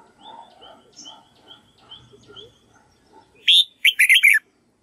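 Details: Red-whiskered bulbul song used to tutor white-cheeked birds. Soft, repeated high chips and low murmuring are followed by one loud, bright phrase of rapid, slurred whistled notes near the end.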